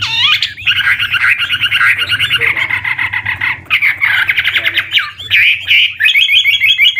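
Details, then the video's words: Old wild Chinese hwamei song meant to prompt young birds to sing; dense, rapid chattering warble with doubled whistled notes, fairly continuous, over a low background hum. "Tiếng chim họa mi mồi già rừng hót luyến láy đảo giọng liên tục, giúp kích chim bổi nhanh hót"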